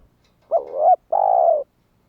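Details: Spotted dove calling to draw other doves into calling: a brief rising coo sliding into a longer note, then a steady vibrating drawn-out coo, very clean and close.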